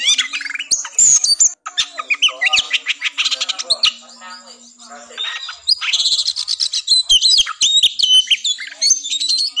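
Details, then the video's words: Oriental magpie-robin fighting song, used to raise breeding drive in birds tired before a contest; loud rapid whistles and rasping chatter, a brief quieter buzzy stretch, then renewed dense whistling over a faint hum. "TES MENTAL KACER TARUNG NGOBRA"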